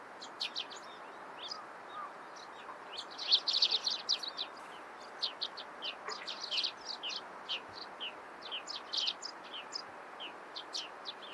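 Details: Eurasian tree sparrows chirping busily in the morning: a dense, irregular stream of short, high, sharp chips, about three per second, with louder clustered bursts from several birds over soft background noise.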